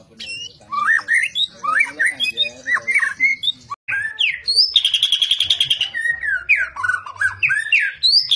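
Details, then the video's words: White-rumped shama (murai batu), a fighter bird with varied fighting styles, giving a rich, varied song: slurred whistled phrases rising and falling, then a dense buzzy rattling burst midway, followed by more clear whistles and sharp rising notes. "MURAI BATU FIGHTER memiliki berbagai gaya tarung"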